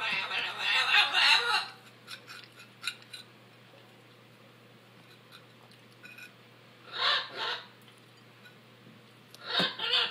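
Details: Macaws let out harsh, raspy screeches, one male behaving aggressively with squeals and goose-like noises: a long burst at the start, then two shorter squawks several seconds apart, with faint chatter between.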